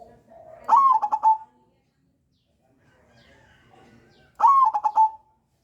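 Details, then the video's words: Lure song of a crossbred zebra dove, played to get untrained flock doves singing: two phrases nearly four seconds apart, each opening with a bright rising note and breaking into a short string of stuttered coos. "PANCINGAN PERKUTUT CROSSING YANG PALING AMPUH UNTUK MEMANCING PERKUTUT BAHAN BUNYI"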